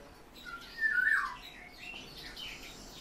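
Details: European bee-eater kept in captivity: a single liquid, slightly falling trilled call lasting about half a second, with faint higher chirps behind it.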